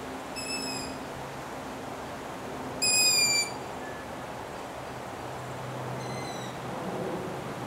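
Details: Latvian long-eared owl owlets, 6 July 2018: three thin, piercing squeaky calls spaced a few seconds apart, the middle one loudest and nearest, over a steady hiss of background noise.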